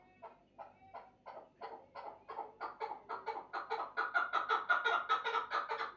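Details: A chukar partridge's calling starts with spaced, throaty chucks and then speeds up into a loud, rhythmic series of clucking notes that builds steadily toward the end.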